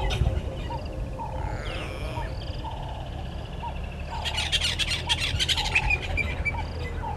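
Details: At a nest tree beside Gowrie dam in Djuma Game Reserve, Sabi Sand, South Africa, a red-billed hornbill calls on 30 January 2020 at 10:09. Rapid, loud clucking bursts of about four per second build up midway, over short whistles from other birds.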